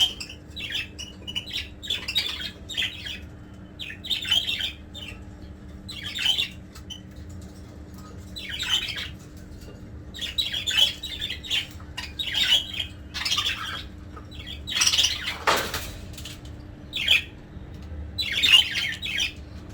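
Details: Nesting budgerigars chatter in scratchy, squawky bursts of warbling calls, repeated every second or two.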